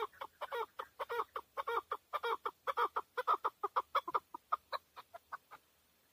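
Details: Rapid chuk-chuk clucking from a male chukar in Tajikistan in 2020, about two notes per second, loud and steady at first, then thinning out and fading away near the end.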